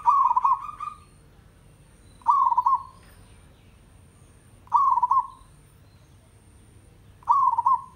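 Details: Village zebra dove repeating its song, recorded to train birds to sing often: four quick, rolling coo trills at a steady pace, roughly every 2.4 seconds, with a faint high hiss.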